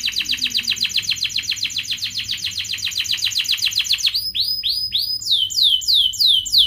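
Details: Canary song played to coax lazy canaries: a long run of rapid rising trilled syllables, then slower repeated downward-sweeping whistles.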